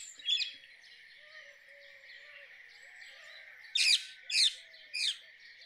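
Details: Harsh, piercing screeches from a rose-ringed parakeet: one early call, then three spaced shrieks near the end, set against a constant chorus of distant birds.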